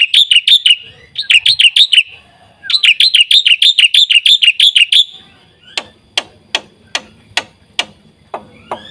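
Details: Black-winged Myna song full of varied phrases, used to lure and tutor other birds: three bursts of rapid bright chirps separated by short pauses, followed by steady dry clicking notes.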